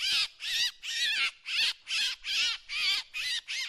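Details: Drongo calls used as a decoy sound: a rapid series of rasping, squawky notes with wavering overtones, roughly two per second, evenly spaced and fairly loud throughout, with a quiet background.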